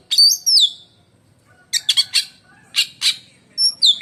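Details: Black-and-white oriental magpie-robin (kacer), a contest bird, delivering shrill, lightning-like song: sharp whistled notes swooping down, then harsh buzzy bursts repeated in quick pairs, ending with high clear whistles.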